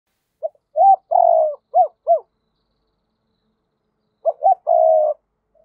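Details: Decoy spotted dove giving double-voiced thúc and gáy calls to provoke wild doves. Two phrases of soft low coos: clipped notes, a long wavering hoot, then two arched notes, with a pause of about two seconds between phrases.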